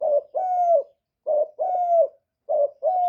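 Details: Spotted dove calling as a lure to stimulate kept doves, recorded cleanly: paired coos, a brief low note then a drawn-out steady coo, repeated roughly every 1.2 seconds.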